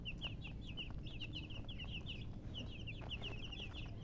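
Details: Baby chicks cheeping in a busy chorus of sharp, high, falling notes, several per second in irregular clusters, backed by a low-pitched rumbling background.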